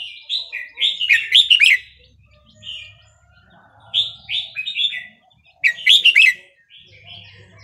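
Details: Red-whiskered bulbul song in the Burmese regional style 3-4-5-6, played for training young birds: three loud, jumbled bursts of rich warbling whistles about every two and a half seconds. Softer chirps from other birds sound between them.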